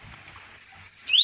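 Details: Double-collared seedeater recorded in Arapiraca, Alagoas, Brazil, in 2020: a brief phrase of clear, high slurred whistles, two falling notes and a final rising sweep, in a quiet setting.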